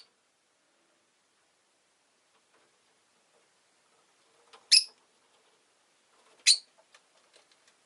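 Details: Two brief, sharp chirps from a rosy-faced lovebird, almost two seconds apart, after a long quiet stretch with faint ticking sounds.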